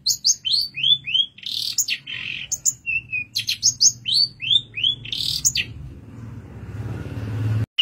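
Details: Long-tailed shrike training song made of clear downslurred whistles and sharp chips in lively varied phrases, ending in near silence.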